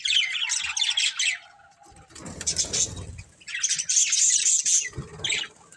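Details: Budgerigars of a breeding pair twitter in dense high chatter, fading into a lull with rustling and knocking, then resuming with bright squeaky warbles.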